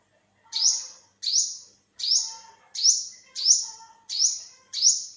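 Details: Olive-backed sunbird in 2021 giving seven bright, high notes, each rising quickly and holding briefly, repeated steadily about every three-quarters of a second after a short silent lead-in.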